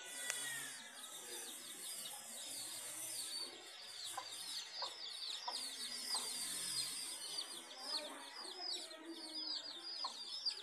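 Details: Domestic hens with their chicks; a dense, continuous chorus of high, thin, arching peeps from many chicks, each a quick rising-falling cheep repeated several times per second, with occasional softer lower notes beneath.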